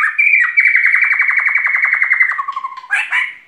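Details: White-rumped shama (murai batu) in gacor song, 2021: a steady, fast trill of pulsed whistles held at one pitch for two seconds, a lower stuttering run, then a short bright flourish.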